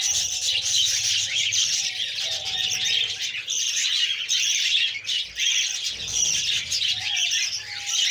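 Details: A female budgerigar feeds her chicks, which keep up an unbroken, rasping, buzzy chorus of begging. Thin steady tones and a low hum run behind it.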